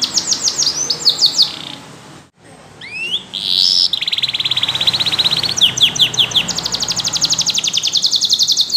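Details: Yellow canary song broken by a brief gap: quick descending notes, a rising slur, then a long fast rolling trill and repeated high chips.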